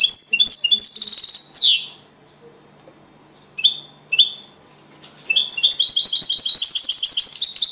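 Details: European goldfinch, a second-place singing champion, performing clean song in the copia Malaga style: bright high twittering bursts, a pause, then single sharp chirps before a dense, rapid run of ringing notes.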